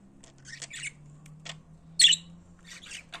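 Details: Pet budgerigars calling indoors, short harsh squawks and scratchy chirps in separate bursts, one louder grating squawk near the middle, over a steady low hum.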